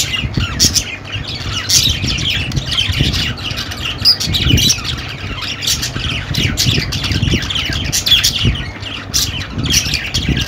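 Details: Budgerigar calls pour out in a constant scratchy stream of chirps and squawks, with occasional louder notes and a deep background rumble.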